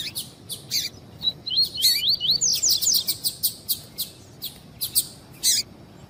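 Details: Tui-tui song of a double-collared seedeater, meant to warm up birds for tournaments: a string of quick undulating whistles rising in pitch, then rapid high chips repeated several times per second.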